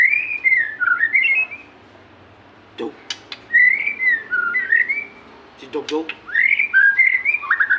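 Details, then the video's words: Murai or white-rumped shama, singing to prompt quiet captive birds into song: three loud phrases of looping, warbled whistles sliding up and down, with a few sharp clicks between them. "pancingan burung murai susah gacor"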